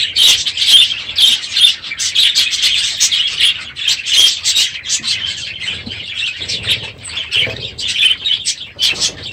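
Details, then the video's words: Large group of aviary budgerigars at the end of the breeding season calling noisily in the morning: rapid chirps and squawky chatter, about two notes a second, with occasional wingbeats. "My Budgies Today - NOISY birds this morning!"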